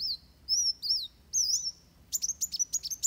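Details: Van Hasselt's sunbird in fighting song for training birds: three high, twisting thin whistles, followed by a quick run of sharp, evenly spaced ticking notes.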